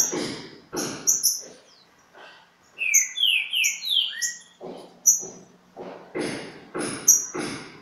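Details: Green-winged saltator at Pedra Azul in a singing dispute with a free-living bird: loud, clear whistled phrases of falling and rising notes in the middle, with broadband bursts, likely voices, before and after.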